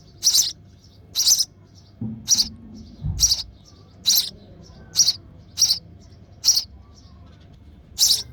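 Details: A hungry sparrow chick in the nest, being fed by its mother, gives harsh, high, hissing begging chirps in short bursts, roughly one a second at an uneven pace, with a brief low rumble partway through.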